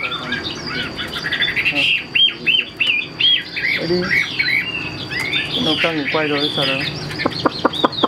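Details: Caged Chinese hwamei held for sale, giving looping whistled notes that break into harsher, buzzier squeaky phrases and a few sharp clipped calls near the end, with some background noise.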